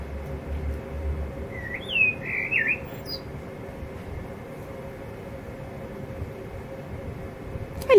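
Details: Blackbird, a male from a resident pair in an ivy-covered yard, singing softly to himself. One short, twisting, whistled warble is followed by a long quiet stretch over low hum. A brief sharp sound comes at the end.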